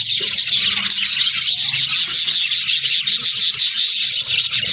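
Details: Budgies in an aviary colony, a crowded, rapid chatter of high chirps and warbled notes pulsing roughly twice a second, steady throughout.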